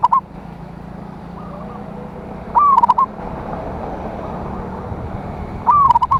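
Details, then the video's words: Emotional local zebra dove song meant to lure rivals: three phrases, the first cut short, each a descending coo followed by quick pulsed notes, with a softer distant coo and constant hiss. "Perkutut Lokal GACOR suara Besar Ampuh memanggil Lawan"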